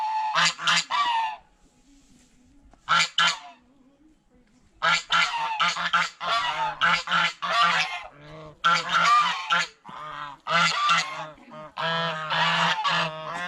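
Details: Geese feeding on bread and fresh vegetables at a fish pond honk in loud, harsh, nasal bursts, first singly with pauses, then in rapid overlapping runs of several birds calling together.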